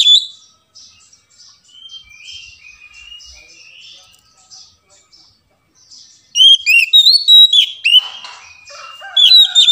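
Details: Oriental magpie-robin (kacer) lure song, meant to prompt a silent, reluctant bird to sing: soft, faint twittering for six seconds, then loud, clear whistled phrases with sharp upward and downward sweeps in quick succession.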